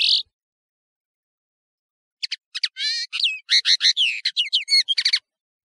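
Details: Tutoring-tape recording of a European serin: a short buzzy burst, two seconds of silence, then a three-second stream of high squeaky whistles and fast jingling twitters.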